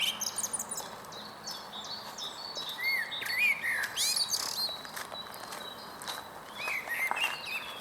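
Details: On 22 April 2022 at the Huys te Warmont Estate, a male blackbird sings from a tall beech stump; a rich fluted phrase at about three to four seconds, with high twittering from several other birds.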